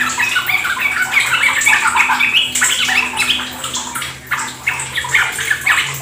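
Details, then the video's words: Lure recording meant to get caged Yellow-vented Bulbuls singing ropel: several birds pour out busy, overlapping chirping phrases over a background of running water, easing briefly near the end. "Pancingan trucukan agar ikut ropel gacor"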